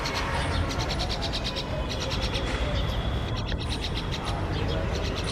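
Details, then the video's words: Grown myna chick fed by its scolding parents even though it forages on its own; rapid series of raspy, scratchy squawks repeated in bursts, with a constant deep background hum throughout. "Myna Birds Feeding Grownup Chick.Despite He Is Searchs & Eats Himself."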